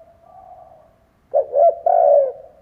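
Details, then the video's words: Decoy spotted dove cooing to excite other doves: a faint trailing tone fades out, then one clear phrase follows, two short hooting notes and a longer steady low coo. "Chim cu gáy kích bổi , Cu gáy kích bổi mở là gáy"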